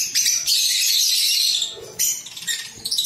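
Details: A group of pet lovebirds in captivity, giving a sustained burst of harsh, high chattering squawks for about one and a half seconds, then a softer pause and a sharp renewed squawk near the two-second mark.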